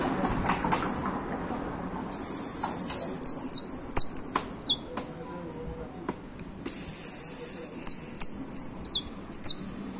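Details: Creole canary nicknamed el olímpico, singing steadily: bursts of sustained, buzzy high trills alternating with quick descending chirped notes, two long rolling trills and many short sweeps, with a low background hum.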